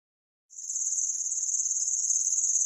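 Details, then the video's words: Cici lurik, an imported bird kept as a song tutor for other songbirds, with a cricket-like voice: after half a second of silence a continuous, very high, shimmering insect-like trill begins and runs unbroken to the end. "BURUNG MASTER SUARA JANGKRIK"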